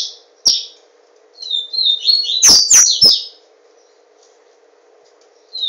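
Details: Brazilian papa-capim seedeater in captivity at Garanhuns: a lone chirp, then a brief buzzy song rising to two strong high notes, followed by silence apart from a low hum.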